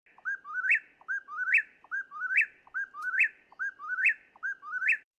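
An Eastern Whip-poor-will whistles its name over and over, a clipped three-note phrase ending in a sharp upslurred 'will', about once a second.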